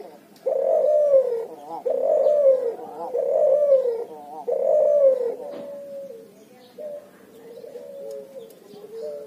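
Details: Cuhu, a hybrid of puter and spotted dove, calling vigorously in the ngoar nguku style: four husky, falling coos about a second long each, followed by softer, steadier level tones.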